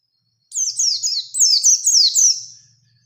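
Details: Bustomi-type Oriental white-eye (pleci) singing in ngalas ngerol nembak style, used to lure a rival into singing: a fast rolling run of high, sharply falling chirped notes over about two seconds, then fading.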